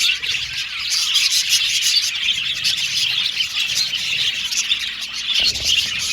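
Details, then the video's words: Budgerigars in an aviary colony give dense, continuous chattering chirps, high and bright, with short warbled notes overlapping throughout and a brief louder burst near the end. "Budgies Chirping Sound"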